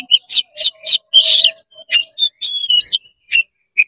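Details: Short 'konslet' song from an oriental magpie-robin, used to stir up other magpie-robins: a rhythmic series of harsh chips, a buzzy rasp, then thin whistled high slurs and scattered notes.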